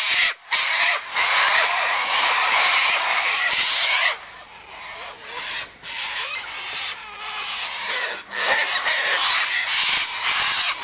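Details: Several sulphur-crested cockatoos squabbling loudly over sunflower seeds, wheat and birdseed by an eastern gate, a dense, overlapping wall of harsh screeching that eases midway, then builds again.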